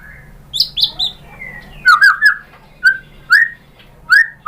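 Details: White-rumped shama song used as a lure to provoke singing: sharp high whistles, then a set of mellow downslurred notes repeated about every half second.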